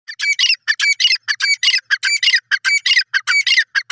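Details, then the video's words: Grey francolin (desi teetar) in grass. It gives loud, harsh, high-pitched notes in quick pairs, repeated rapidly and steadily, about five notes per second, with short gaps and no other sounds. "Grey Francolin in grass dasi Teetar ki awaaz"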